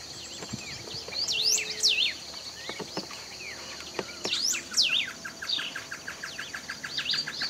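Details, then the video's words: A golden-billed saltator, recorded at Esperanza, Argentina, in 2019, repeats a bold, swooping whistled phrase about three seconds apart. Other birds twitter throughout, and an insect buzzes steadily in the background. "Canto del Pepitero de collar"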